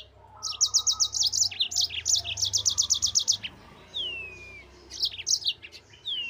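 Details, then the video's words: Yellow-fronted canary, or mozambik, singing for a cage-bird master recording: quick repeated high chips in series about four per second, then long descending whistled slurs and short twittering phrases, with faint low background hum. "MASTERAN BURUNG MOZAMBIK GACOR NGEROL"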